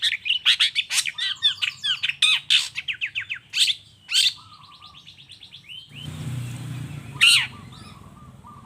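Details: Long-tailed shrike singing vigorously, a lure to set other shrikes calling: rapid scratchy notes and short whistles for six seconds, then a rushing broadband noise with a few scattered notes over it.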